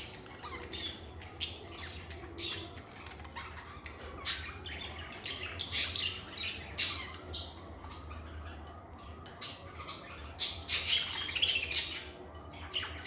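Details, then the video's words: Lovebirds in a quiet indoor room chatter with repeated high chirps and harsh squeaks, growing busier toward the end, over a faint low hum. "Lovebird Singing & Chirping Sounds"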